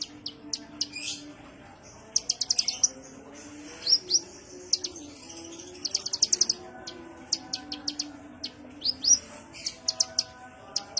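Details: Kolibri ninja sunbird calls for luring other birds: rapid clusters of thin high ticks and chirps interspersed with brief squeaky whistles, irregular rhythm, with a soft low tonal background.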